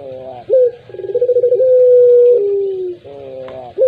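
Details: Collared dove delivering a puter pelung coo: a sharp opening note, then a quick rolling trill that swells into a long steady hoot, dropping to a lower tail and a buzzy harmonic ending.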